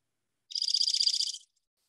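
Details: Dark-eyed junco, a common winter bird in Iowa, sings a rapid, musical, high-pitched trill of about fifteen quick even notes lasting one second.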